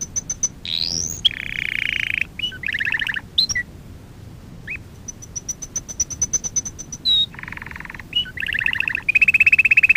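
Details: Canary singing on a training lesson for young birds: varied song of rapid buzzy rolls, high whistled pips, swooping slides and a long rattling trill, sections changing every second or two.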